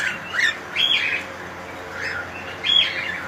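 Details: From a cockatiel colony, loud grating squawks rise and fall, two close together at the start and another after a short pause, with fainter calls between.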